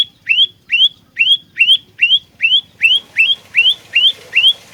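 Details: Olive-backed tailorbird, a lure and fighting bird, repeating a bright rising whistled note roughly every 0.4 seconds, with faint rustling noise behind the later notes.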